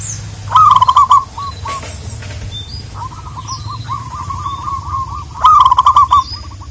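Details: Local wild zebra dove calling out to a rival: a loud rolling coo burst, a run of softer repeated hooked coos, then another loud rolling burst. Faint high chirps from other small birds are heard.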